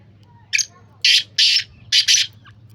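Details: Black francolin delivers its rasping call, a short harsh opening note, two long grating notes, and a closing doubled note, loud and close, with a soft low hum underneath.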